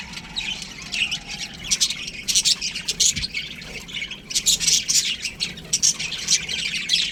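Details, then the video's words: Many young budgerigars in an aviary chatter and chirp, quieter at first, then rising into a louder dense run of high scratchy notes. "Baby Budgies Chirping Sounds"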